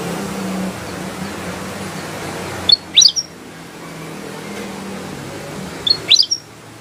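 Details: Lively black-headed bulbul song: two quick clusters of high, steeply rising chirps about three seconds apart over a steady low hum and faint background noise.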